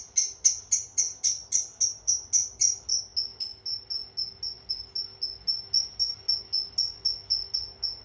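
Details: Long chatter of a cobalt ink-coloured lovebird, used as a model for training other birds: an unbroken series of shrill high chirps, about four per second, loud at first and then a little softer.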